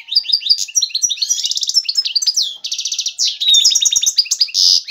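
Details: Continuous excited twittering of a male European goldfinch looking for a female to mate, a tumbling run of chirps, buzzy trills and slurred notes without a break.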